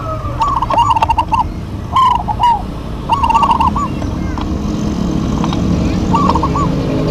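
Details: Local zebra doves singing a lively duet: bursts of fast, bubbly, warbled cooing notes, each phrase about half a second, repeating several times, over a steady low rumble of traffic or engine noise.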